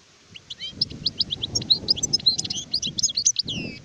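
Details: Song of an adult European goldfinch (sharef): a continuous stream of bright, tinkling chirps and slurred whistles rising and falling rapidly, ending with a curved sweeping note, with soft low background hum.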